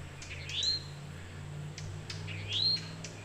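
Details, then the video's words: Towhee giving its mating call as other birds join in: two rising, slurred whistled notes about two seconds apart over a low steady hum. "Towhee mating call"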